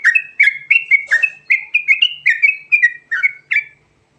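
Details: Sooty-headed bulbul (Trucukan Garuda) singing a fast rolling 'ngerol' with varied fill-in notes: a dense run of about a dozen liquid, slurred whistles, each with a sharp onset, ending abruptly.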